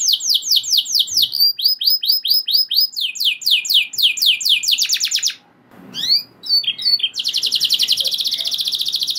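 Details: Caged canary singing long rolls that provoke other canaries to sing: rapid repeated high whistled sweeps and trills, shifting through several phrase types, with a brief pause before a fast buzzy roll.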